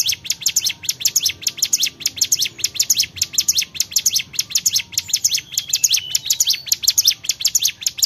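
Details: Cigun, the Bar-winged prinia, in full energetic song: continuous rapid high chips and short descending sweeps in an even beat, brief whistled strands late in the clip, soft background hum.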